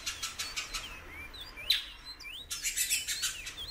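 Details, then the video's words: Female great-billed seed finch calling a lot: short whistled slurs, some rising and some falling, between bursts of dry broadband rustling and clicks. "FÊMEA DE BICUDO PIANDO MUITO"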